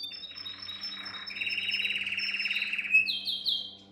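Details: Training song for young canaries: a low grainy churr swells into a loud dense rolling trill, then a quick run of rising upswept high notes, with a soft electrical hum beneath.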